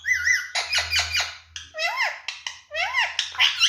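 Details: Sixteen-year-old pet Indian ringneck parakeet talking: a string of squeaky, speech-like syllables with upslurred and arched whistled notes, voiced in short bursts, with a low indoor hum beneath.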